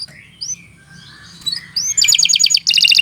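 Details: Canary song: soft varied chirps and slurred notes building into loud, fast rapid-fire trills near the end, with a faint low hum beneath.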